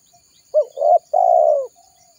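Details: Spotted dove call used as a trapping lure to summon wild birds. One low phrase: a short rising coo, a wavering middle note and a long, slowly falling coo.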